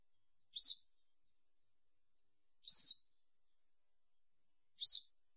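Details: Three separate high, sharp 'tsreep' notes from a western yellow wagtail (Motacilla flava), evenly spaced about two seconds apart in silence.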